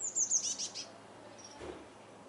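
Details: Common swift arriving back in spring at Swinford on 5 May 2016: a brief very high, thin screaming trill of rapid descending notes lasting under a second, then fading away, leaving quiet outdoor background.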